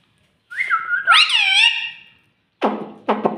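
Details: Green pet parrot known for saying "mummy": a thin whistle leads into a loud, harmonic, speech-like syllable that swoops up then down, followed by two short breathy, noisy bursts.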